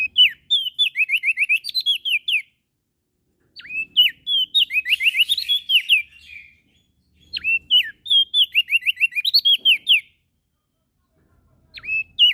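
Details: Prinia (prenjak daun) from NTB, Lombok, singing tirelessly day and night. Three long bursts of rapid, chattering whistled notes, each about two seconds long, come with short gaps between them. A lone upswept note closes the sequence.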